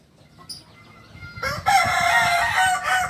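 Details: Kokok Balenggek chicken, a native village chicken of Solok, West Sumatra, Indonesia, known for tiered crowing of up to 19 levels. A few faint thin tones come first, then a loud, harmonic, wavering crow runs to the end.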